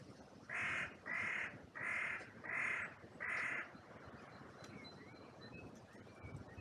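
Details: Crow at an oak tree in a cemetery, captured by a trail cam: five loud rasping caws in a steady run, then small birds twittering faintly as the wind continues.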